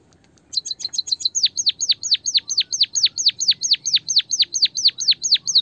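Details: Original white-headed munia voice played to stimulate a reluctant bird to sing: a brief burst of high twitters leading into steady, loud downward-swooping whistles, roughly two per second, regular and unbroken.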